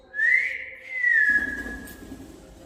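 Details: Parrot kept at home whistling when its owner asks: a long whistle that swoops up, dips and then holds steady, with faint room noise behind.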